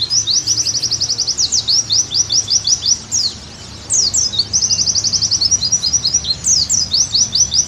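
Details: Oriental white-eye song used as a training recording so caged birds sing energetically again: a rapid high trill and sliding chirps, a quiet pause near 3.5 seconds, then another long trill and scattered chirps.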